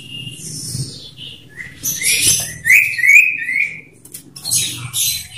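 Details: Two caged male common ioras dueling one-on-one in the loud 'ngetir meriwit nyipow' style, used as a lure to make other ioras sing. Sharp rising whistles near mid-pitch mix with airy high hiss and low rustling.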